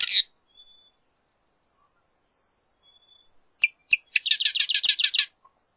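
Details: A marsh wren gives a brief high burst, then thin whistled tones. Two sharp ticks follow, breaking into a rapid, gurgling, rattling trill of about a dozen pulses.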